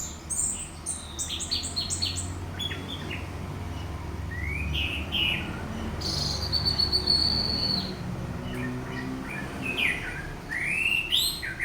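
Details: Provoking lure song of an orange-headed thrush, teler style: long varied medley of high trills, a sustained thin whistle, and lower rising slurred notes scattered irregularly, over a soft droning background.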